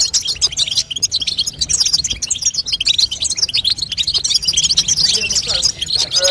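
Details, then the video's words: A female European goldfinch's batbata, a call played to stimulate a young goldfinch into singing. Rapid, bright, high chirps pour out in a continuous jumbled twitter. A short lower, tonal squeak is heard near the end. "بتبته لتقويه فرخ الحسون تخلي يغرد غصب عنو"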